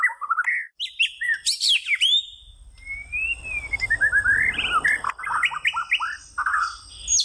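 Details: White-rumped shama singing a rich, varied song: quick whistled notes, sharp high upward sweeps, a long smooth rising-then-falling whistle, and a run of rapid bouncing phrases near the end, over a faint low rumble.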